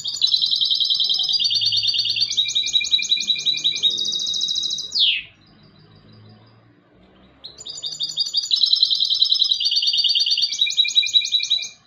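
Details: Song of a European goldfinch hybrid: long chains of fast, high, tinkling trills shifting pitch in steps, ending in a downward sweep, then a brief pause before a further lively twittering phrase.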